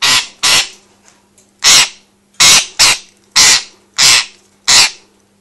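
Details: Angry pet parrot throwing a fit over attention given to another parrot, slow to calm down: loud, grating, broadband screams in uneven bursts, some doubled, about eight across five seconds, with a constant low hum behind.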